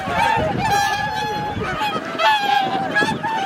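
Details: Wintering swans at Lake Hyoko, a Ramsar wetland in Niigata Prefecture, on 8 January 2022; several drawn-out honking calls stand out from a flock chorus, with low rumbling background noise.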